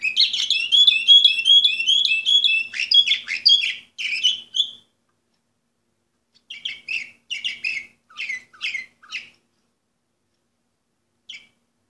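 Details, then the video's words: Singing Orpheus-breed canary from 2014: a fast, rolling trill of high notes for about four seconds, a short gap, then a looser series of separate chirps fading out. "canary orpheus"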